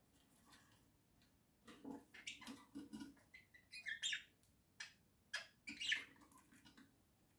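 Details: Indoor budgerigars, a pair kept as pets, one in a cosy house and the other nearby: after a quiet start, a busy run of clicks, chirps and squeaky warbles tumbles on irregularly.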